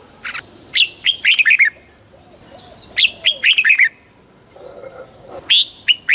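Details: Song of a red-whiskered bulbul, played to excite other birds: three lively phrases of quick, cheerful whistled notes, each phrase about a second long with short pauses, over a constant thin electrical whine.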